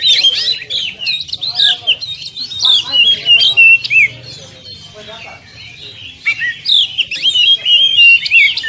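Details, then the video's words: Oriental magpie-robin training song for caged birds in the 'tembakan rapat' style: quick bursts of swooping whistles and harsh chatter, a quieter softer stretch midway, then loud rapid phrases again. "Masteran Kacer Tembakan Rapat"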